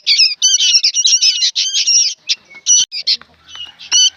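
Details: Young sooty-headed bulbuls calling noisily: harsh buzzy squawks in tight bursts, thinning out midway with scattered clicks, then a final loud burst.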